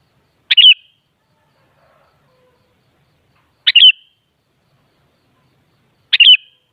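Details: Kutilang, or sooty-headed bulbul, heard as three brief gurgling chirped phrases roughly three seconds apart, each a fast tumble of high bright notes, otherwise quiet. Meant as playback to make a kutilang answer and sing.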